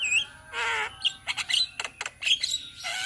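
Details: Several Javan mynas from Indonesia singing as a group, used as training material: a long nasal squawk, then scratchy clicks and short whistled chirps, ending in a drawn-out nasal note.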